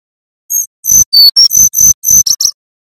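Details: Nyuling song from a male brown-chested jungle flycatcher of Banten, meant as a tutor for other birds: evenly spaced loud high whistles, mostly on one pitch, with a few lower notes and two quick closing chips.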